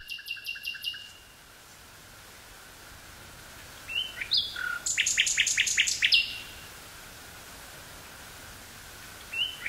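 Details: A common nightingale singing in woods near Burgh-Haamstede, Netherlands, on 18 May 1983: short, varied phrases of rapid repeated notes and sharp high chips, separated by pauses of a few seconds.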